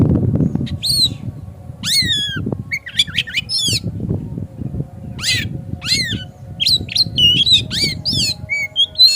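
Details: Oriental magpie-robin singing as a lure to make other birds sing hard and spread their tails: a loud, varied run of sweeping whistles, harsh rasps and rapid chirps over a low background rumble.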